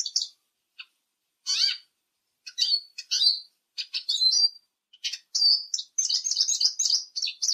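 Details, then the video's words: Eurasian siskin (Spinus spinus) singing with no music: bursts of high, quick twittering chirps and sweeping notes that build into a continuous, buzzy, warbling run of trills toward the end. "EURASIAN SISKIN SONGS Spinus Spinus Singing"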